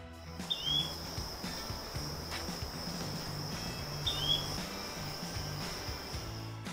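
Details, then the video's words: A Yellow-bellied Flycatcher, a winter visitor to Costa Rica from late August to late May, gives two brief rising 'tu-wee' whistles about three and a half seconds apart, over soft low music and a steady high hum. "The Yellow-bellied Flycatcher often whistles a rising “tu-wee”"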